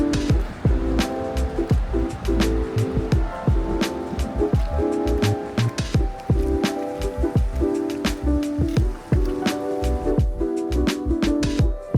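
Instrumental music with steady rhythmic plucked and struck notes plays throughout, with sharp percussive hits and no animal sounds heard.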